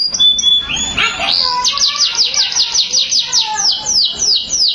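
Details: Canary song beginning with flat high whistles and a buzzy rising slur, then a rhythmic sequence of repeated downward-sweeping high notes, roughly four per second.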